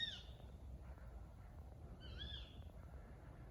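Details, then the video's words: A tawny owl gives two sharp, harsh, arching calls about two seconds apart over a steady low rumble, recorded at night on a ride at Much Marcle, where bats were also filmed. "Tawny Owl Call"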